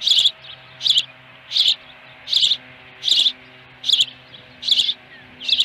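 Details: At a Dunrovin Ranch nest with a live fish on 26 May 2020, late afternoon, an osprey gives a steady series of about eight piercing, high chirped whistles, roughly one each 0.8 seconds, with a soft background hum.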